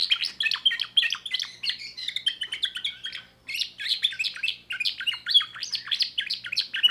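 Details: Young timbrado canary from 2024 singing a new repertoire: fast, sharp chirping phrases with trills, one brief break near the middle, then resuming just as rapidly.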